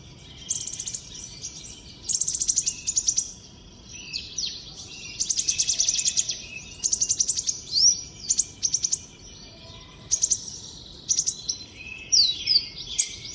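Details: Common iora singing in the wild: high, thin, sweet phrases in bursts every second or two, with rapid chattering trills and a few sharp upslurred whistles, over a steady low background hiss.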